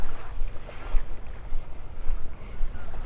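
Low rumbling wind and surf noise fill the recording, with no animal calls standing out.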